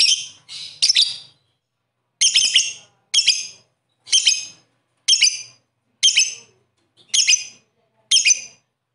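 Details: Lovebird giving harsh, high squawks, a quick double opening, then single raspy notes about once a second.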